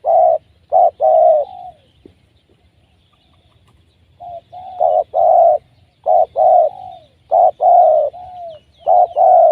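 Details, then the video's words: Wild spotted dove caught by trapping, cooing loudly in short bursts of two to three low hollow notes, with pauses between phrases and a gap of silence midway. "Mikat Tekukur,, Suara BL ini powernya sangat kuat"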